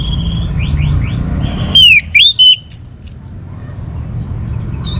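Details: Soft rising whistles from an orange-headed thrush, then a loud phrase of clear, swooping whistled notes ending in short high bursts, with low background hum.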